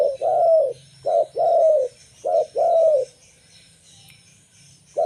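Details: Local zebra dove song used to lure other zebra doves: low, mellow cooing phrases, each a short coo followed by a longer rolling, slightly falling coo, repeated in three pairs with quiet gaps and a faint steady hiss behind.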